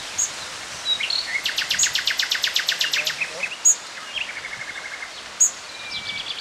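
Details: Hawfinch at Drahovce, near Piešťany, Slovakia, giving three sharp, high, explosive 'tzik' notes spaced a couple of seconds apart, with a rapid dry ticking series and thin whistles from other birds.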